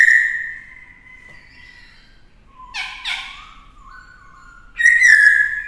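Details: Black-throated laughingthrush, a caged bird kept for training young birds to sing, in a multi-voiced, forest-style song. Long steady clear whistles open the phrase, then a brief harsh raspy burst and lower flat whistled notes, ending in a loud bright whistled flourish.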